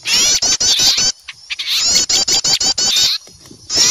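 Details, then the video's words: Small birds noisily scolding on seeing an owl, a lure for wild birds: two bursts of rapid rasping chips separated by a short quiet gap, then a final burst at the end. "Suara pikat burung kecil ribut takut melihat burung hantu"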